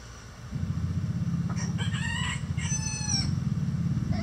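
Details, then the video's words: Chickens in a coop with a mixed flock of egg-laying breeds give a few drawn, wavering squawks midway, set against a loud, steady low rumbling hum. "Relaxing Chicken Coop Sounds"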